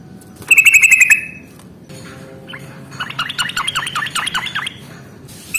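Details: Yellow-vented bulbul in a fighting-song lure to encourage lazy birds to sing. A quick buzzy rattle comes first, then a longer, chattering run of varied bubbly notes.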